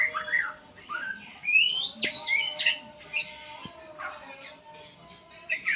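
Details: White-rumped shama learning sounds with tutor playback: sweeping whistled notes, rising slurs and high chips, broken by a couple of sharp clicks, over a continuous low hum.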